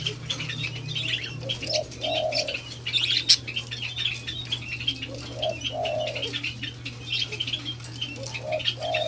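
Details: White-eared brown dove (alimukon) during taming gives deep coos about every three and a half seconds, each a short note followed by a longer swelling one, while small birds chirp continuously and a low drone runs throughout.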